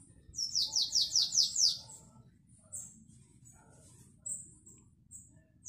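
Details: Canary giving classic Belgian-style song, 2021: a quick series of six bright descending sweeps, then scattered brief high whistled chirps and a soft low background rumble.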